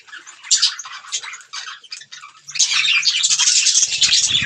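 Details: Budgerigars eating green food chirp in quick, scratchy bursts of high warbling, then break into a dense, continuous chatter of several birds at once.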